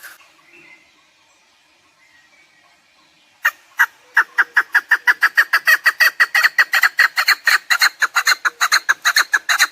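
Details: After a quiet few seconds, a chukar partridge bursts into fast, harsh chucking notes, about three per second, growing steadier and continuing for six seconds. Hunting lure recording of the partridge.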